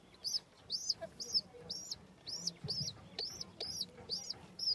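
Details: Home pigeon with baby chicks at feeding time: sharp, high arched squeaks come about twice a second in a steady run, with soft low rustling underneath.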